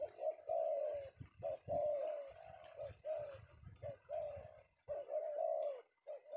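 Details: Indonesian male spotted dove, a Penguku bird secured in the afternoon, delivering drawn-out, slightly falling coos in uneven phrases over low handling knocks and rustle.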